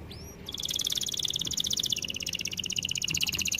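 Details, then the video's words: Canary singing for a training recording: a brief rising whistle, then a long fast rattling trill of evenly spaced high notes that steps down slightly in pitch midway and runs without pause. "Melodies Canary bird song | Training video"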